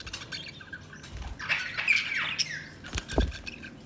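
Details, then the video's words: Budgerigars chirping: a run of harsh, buzzy squawks and warbled chatter in the middle, with faint broadband clicks and a low thud near the end. "Budgies Sounds| Budgies Chirping sound"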